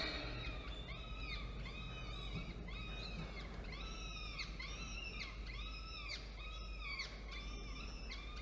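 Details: Falcons at a nest with two chicks hatched in early October, during a midday feeding on 13 October 2022 after the male delivered prey. Repeated drawn-out, slightly wavering harmonic wails, each about half a second, over steady low hum.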